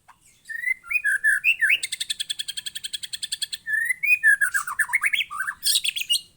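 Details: Young white-rumped shama singing: clear, rising whistled notes, then a fast, buzzy trill of evenly repeated notes for about two seconds, ending in tumbling, falling whistles and sharp high chips.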